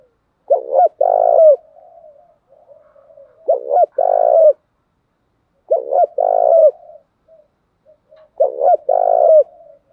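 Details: Spotted doves, both sexes, in a stimulating call used by keepers training doves. Four regular phrases, each a stutter of brief notes and then an extended rolling coo, about every two and a half seconds, with soft notes between.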